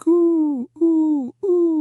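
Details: Male Mourning Dove perched on a fence in the morning, giving three low, hollow coos, each about half a second and sliding slightly downward, with short pauses; a contact call meaning "I'm here" to nearby doves.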